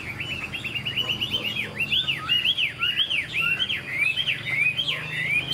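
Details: Chinese hwamei, a young bird of this year said to flick its tail and sing well, delivering a fast, varied run of loud whistled slurs, rising and falling notes tumbling together almost continuously, with a low steady hum underneath.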